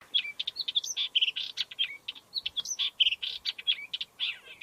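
Upcher's warbler singing a rapid, scratchy warble of varied chirps and harsh notes, delivered almost continuously in short bursts with brief pauses.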